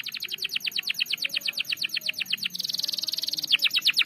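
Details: Canary used as a lure bird, singing a long rolling song: fast trains of rapid repeated notes, pulsed strokes at an even beat, shifting midway into a dense buzzy trill before more quick repeated notes.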